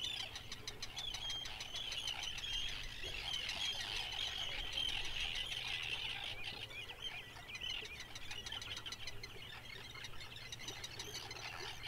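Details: Red (grey) phalaropes, rare breeding birds in Iceland, give sharp, high chirping notes in quick, uneven bursts during breeding season, several calls overlapping, over a steady low rumble of wind.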